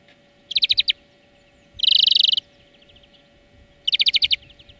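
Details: Song lesson of a European greenfinch: three rapid trilled bursts of sharp chirps separated by pauses, the middle burst denser and louder, with faint softer twitters between.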